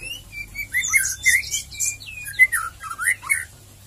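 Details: White-rumped shama song in the ngeriwik ngeplong style, meant as a lure to make shamas sing eagerly; loud, clear whistled notes sliding up and down in quick phrases, mixed with sharp high chirps, and a faint low hum beneath.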